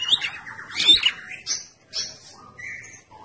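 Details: Red-headed prinia in full song as a lure: a quick rattling trill opens, then a bright chirp, short high buzzes and a lower whistled note fading out.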